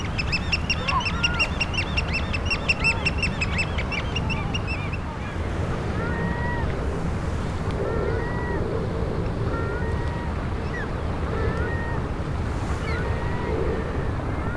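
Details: A flock of Eurasian oystercatchers on the shore at Funabashi Sanbanse, Chiba, Japan, in the morning, binaurally recorded: rapid, shrill piping in the opening seconds, then scattered short whistled calls over a steady roar of surf and wind.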